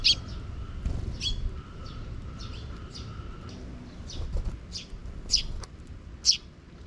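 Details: Sparrows with a young chick that follows after the parent birds, recorded outdoors; short high chirps scattered through, louder ones near the end, over steady low background rumble and a faint humming tone.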